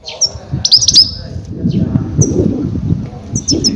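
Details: Goldfinch giving loud calls used to lure and trap grey-headed goldfinches: short bursts of high tinkling chirps at the start and end, over rumbling low noise and handling sounds.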